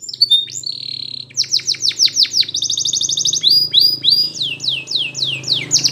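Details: Belgian canary training song for young canaries, full of quick down-slurred notes repeated about three times a second, rolling trills and clear high whistles, over a soft low hum.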